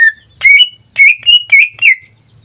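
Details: Caged pet greater green leafbird from Indonesia singing a few bright whistled notes, each rising then falling, spaced about a third of a second apart after a short opening note.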